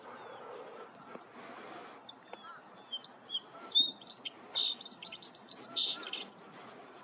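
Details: Song sparrow singing early in the morning at Lower Sardis Lake, Panola County, Mississippi, on 19 November 2023 at 7:30 am, sunny and cool: a varied run of high whistles and quick trilled notes over a steady low background hiss.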